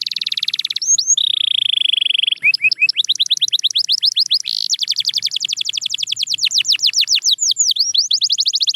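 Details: Canary song for motivating quiet canaries to sing: varied rolling trills, a sustained flat buzzy note, a brief pause, then long runs of fast repeated downward-sweeping whistles with looping notes.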